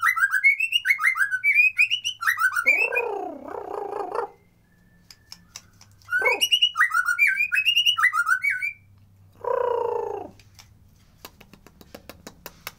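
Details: Natural white-rumped shama singing, without effects, as a lure for reluctant birds: bursts of quick looping whistles broken by harsh grating notes, with pauses and faint low hum between phrases.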